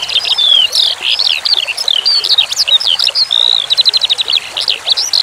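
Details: Skylark, called branjangan, singing in a masteran recording set to flowing water: loud, rapid high chirps and whistled slurs, including a fast even trill of repeated notes near the end, over soft trickling water.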